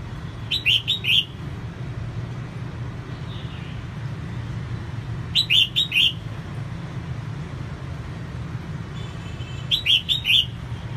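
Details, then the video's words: Three short phrases from a female red-whiskered bulbul singing to stimulate males, each a quick cluster of three or four whistled notes, repeated about every four to five seconds above low steady hum. "CHÀO MÀO MÁI SIÊNG HOT KÍCH TRỐNG CĂNG LỬA"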